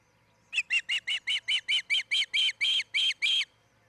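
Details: Osprey at its nest in Charlo, Montana, one of a nesting pair, recorded by a nest camera on 07-10-2018 between 03:29 and 04:29. There is a run of about twelve sharp, whistled chirps, evenly spaced and slightly rising in strength, against a quiet background hum.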